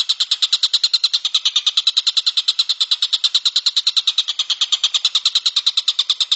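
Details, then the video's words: Kingfisher, locally tengkek buto, used as a master recording for songbirds, giving a long unbroken series of high, harsh, evenly spaced notes at a brisk rattling pace for over six seconds. "suara burung tengkek buto"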